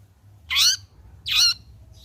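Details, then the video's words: Long-tailed shrike, a caged songbird after bathing, played as a lure to set it singing: two loud, harsh, rasping squawks about half a second apart, broadband and buzzy, over quiet background. "PANCINGAN CENDET AGAR BUNYI"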